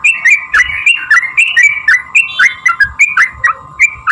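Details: Sooty-headed bulbul song used as a lure to provoke other bulbuls into answering: quick repeated whistled notes swooping between low and high, several per second, with a steady low hum underneath.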